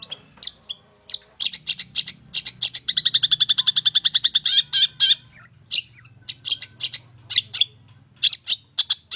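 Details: Singing long-tailed shrike, heard from one spot and used to provoke other birds to sing. Dense, harsh chatter with sharp high notes and a fast rattling run of rapid repeated notes near the middle, over a low background hum.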